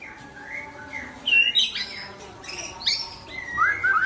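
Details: White-rumped shama of the Aceh type singing: loud, varied whistled phrases, some sliding upward and some sharp high notes, separated by short pauses, over a faint steady background hiss.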